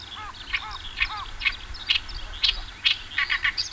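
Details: Oriental reed warbler spring-to-early-summer song: a loud, grating run of harsh chattering notes, about two a second, mixed with lower croaking hooks and rasps.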